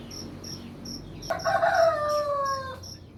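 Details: Rooster crowing in the morning: one loud, harmonic crow that holds steady, then slides downward over about one and a half seconds. Crickets pulse steadily in the background throughout.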